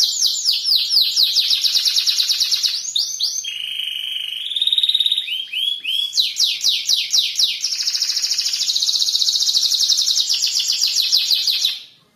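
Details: Canary song: fast sweeping trills give way to a lower sustained whistled tour, then rolling trills and a long, rapid high buzz that fades at the end.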